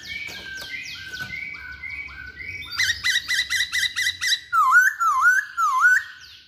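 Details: Masked laughingthrush singing a varied run of loud whistles: short falling notes, then a fast burst of bright stacked chirps and a few swooping, wavering whistled phrases.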